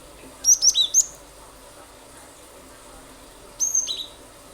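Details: Cinereous tit, locally glatik batu, singing keenly as a lure so other birds join in: four rapid high chirps, then after about two and a half seconds a thinner whistled phrase trailing into quick notes.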